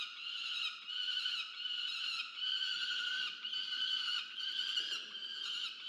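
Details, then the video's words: Peregrine falcon chick begging a parent for food at a research nest cam in Orange, New South Wales, Australia, November 2022; drawn-out grating cries in long bouts separated by short breaths, loud and steady throughout. "Rubus domaga się jedzenia od Diamond"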